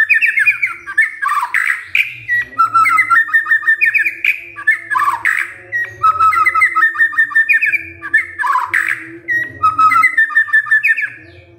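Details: White-rumped shama answering a lure recording with loud, energetic song: rapid runs of whistled and chattering notes broken by harsh, noisy bursts, the phrases repeating roughly every two seconds without pause.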